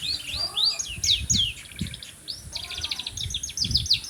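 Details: Continuous canary song of fast trills, rolling rattles and sweeping whistles, with faint low background rumble.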